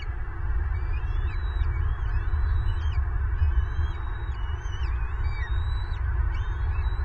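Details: Southwest Florida nest, February 25, 2023: an adult bald eagle, angered while feeding its chicks, gives a series of thin piping whistles with sharp downward flicks, steadily repeated over a heavy low rumble.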